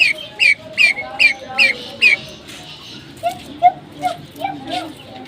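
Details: Kept pheasants calling: six high, sharp downslurred peeps about every 0.4 seconds, then a run of lower, softer clucking notes.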